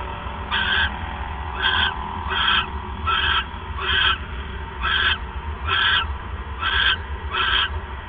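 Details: Owl at night, December 28, 2014, 9:42 PM, as the male brings his third mouse; nine rough screechy bursts come in quick succession, some close together, over a low continuous hum.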